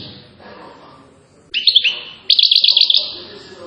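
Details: European goldfinch from Settat, Morocco, with silsila-style song: after a noisy start, two quick bursts of jingling, buzzy trills rise out of faint background hum.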